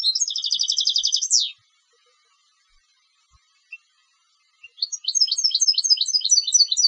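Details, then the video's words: European goldfinch, competition singer, opening with a dense buzzy trill ending in a downward sweep, a few scattered single notes after a pause, then a new run of fast tinkling twitters. "Canto del Jilguero de Concurso"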